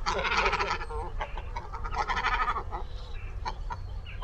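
Great Cormorants give deep, guttural croaks and gargling grunts in overlapping bursts, like a noisy colony, with a low rumble of background noise.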